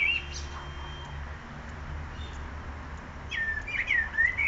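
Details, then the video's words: Bird singing outdoors: a long stretch of faint low background hum, then a lively run of clear whistled notes that slide up and down, ending the phrase with several varied tones. "Bird of multiple songs"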